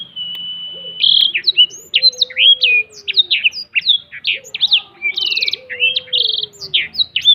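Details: A caged black-throated canary spreading its wings sings a fast, unbroken run of high twittering notes, slurred whistles and buzzy trills, with a faint lower sliding whistle underneath.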